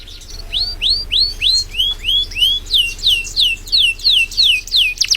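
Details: Contest canary from East Java, Indonesia, delivering a steady series of clear, downward-sliding whistled notes, about two or three each second, with a brief chirp at the end.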